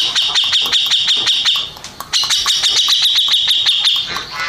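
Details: First-place contest-winning Grey-cheeked bulbul delivers two long rattling, buzzy trills of rapid repeated pulses, separated by a short pause near the middle.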